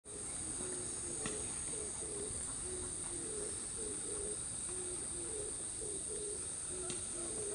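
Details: Eastern spot-billed ducks at Niinomiike Park give short, low, soft calls in a steady chatter, about two every second, over a constant high insect hiss.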